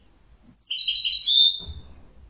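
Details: Single bird phrase: a quick burst of high, slightly buzzy twitters sliding into a drawn-out whistled note, followed by a soft knock.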